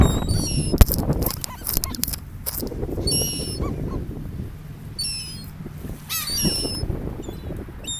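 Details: Beach seagulls by the ocean give clear, ringing harmonic cries in separate groups of a few notes, with gaps of quieter surf and wind between them.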